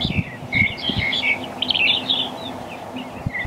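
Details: Black-collared starling giving chattery whistled and squeaky notes in quick irregular bursts, with low thumping knocks and a faint background rumble.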